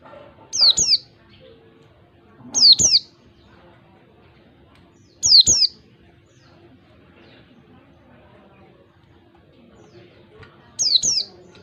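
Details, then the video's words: Forest oriental white-eye used as a lure for caged birds, uttering four spaced bursts of two quick, high downslurred whistles, irregularly spaced a few seconds apart over a low steady hum. "pancingan pleci ngalas 1 2 3 ketukan"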